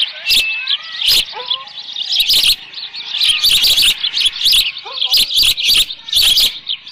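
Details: Osprey at a nest at Dunrovin Ranch, 13 June 2018 around 11:37 AM, with leftover fish. High chirping calls are repeated in quick bursts, and a few lower, sliding whistled notes from another bird are mixed in.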